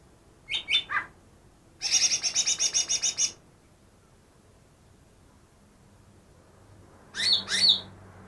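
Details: Greater green leafbird, captured two days before and reportedly mimicking ten birds: two or three thin downslurred notes, a quick buzzy chatter of repeated chips, a long pause, then two sharp high whistled notes.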